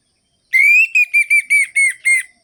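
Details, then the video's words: Clean orange-headed thrush phrase for luring quiet birds: one long, slightly rising whistle followed by six short, even, downslurred whistles, bright and unaccompanied. "ANIS MERAH GACOR ABIS untuk pancingan bunyi burung anis merah yang loyo"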